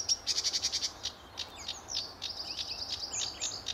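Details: Singing sedge warbler at RSPB Fowlmere in July 2013, early morning; a quick trill of repeated notes opens, followed by varied scratchy, slurred and whistled phrases.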